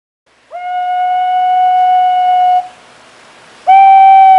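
White-bellied green pigeon singing: a long, mellow, flute-like whistle held steady for about two seconds, then a second note after a short pause.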